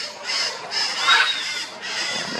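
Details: Four blue-and-yellow macaws, counted one by one in downtown Casa Grande, give harsh, raspy squawks: about four rough bursts in quick succession with little pause between them.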